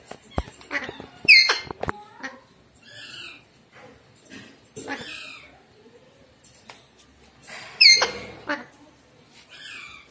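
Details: Two pet Alexandrine parakeets from August 2019 chattering in short bursts: sharp squeaky notes, harsh buzzy calls and soft mumbled, speech-like sounds, with a loud shrill squawk near the start and another later.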